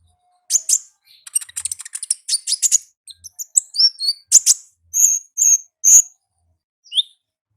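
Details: Wild olive-backed sunbird performing ngalas song, opening with rapid crackling high chips, moving into sweeping whistled slurs and a few clear, steady, high-pitched notes spaced about half a second apart.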